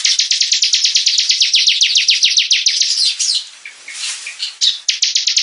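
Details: Bar-winged prinia in 'gacor' song as a hobby bird: about three seconds of quick, regular high chirps, then softer, scattered notes and a fresh burst of rapid chirping.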